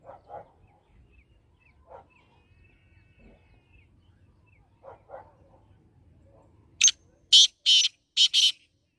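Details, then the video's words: Black francolin calling in 2021: after quiet scattered low sounds, a burst of harsh, grating, high-pitched notes comes near the end, five rasping syllables within about two seconds. "kala teetar awaz( 2021)black francolin voice"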